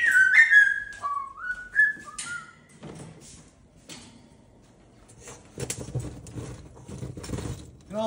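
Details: Pet cockatoo indoors while dancing, giving a few loud whistled calls that rise and fall, followed by sliding and knocking household noises and rustling.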